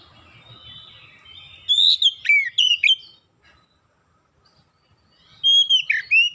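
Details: Oriental magpie-robin song used as a lure to get other birds singing: short bursts of loud whistled notes with sharp downward slurs and rising sweeps, two phrases separated by about two seconds of near silence, faint low hum underneath.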